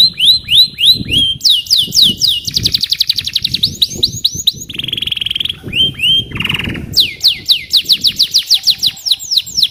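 A canary sings a long, fast run of bright rising whistles, buzzy trills and rolling tours, changing phrases every second or two.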